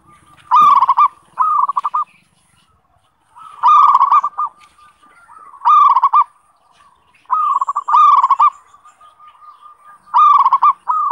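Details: Perkutut, the zebra dove, singing for daily training. Cooing phrases of quick throbbing low notes repeat about every two seconds, and some bursts come in doubled groups, over a faint steady background tone.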